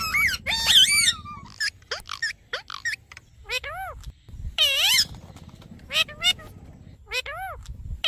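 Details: Parrot talking: irregular voice-like syllables with swooping pitch, mixed with harsh bursts and squeaks, over a low background rumble.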